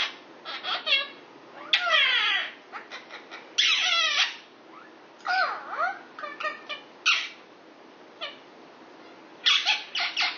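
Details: Pet male Indian ringneck parakeet, aged six, flirting indoors with a neighbouring female Quaker parrot: varied harsh screeches, sliding squeals and rapid clicky chatter come in uneven bursts with short quiet gaps.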